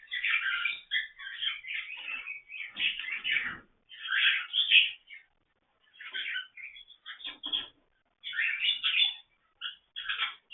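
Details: Cockatiel; defensive calls; parents protecting their eggs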